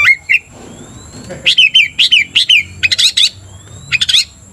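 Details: Oriental magpie-robin singing to agitate another magpie-robin; after a few whistles, repeated rhythmic bursts of sharp descending chirps, about three per second, in short groups separated by brief pauses.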